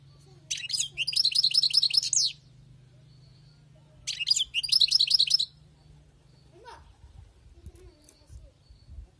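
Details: Wild-caught goldfinch delivering two separate bursts of quick, jingling, high-pitched twitters, each lasting one to two seconds, separated by a pause. A low hum is heard underneath.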